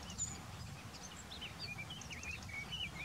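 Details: Black-necked grebe calling outdoors: a run of faint, thin whistled notes, several rising or wavering, repeated through the few seconds over steady low rumbling background noise.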